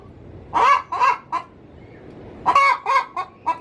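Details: Hen in a coop before egg-laying gives two short bursts of harsh clucking, three or four notes each, the first notes loudest, separated by a second of near quiet.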